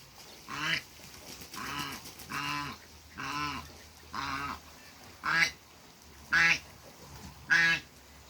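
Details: A pair of African geese meeting on a farm; loud nasal honks with harmonic ladders, seven calls at roughly one-second intervals, the later ones shorter, sharper and louder.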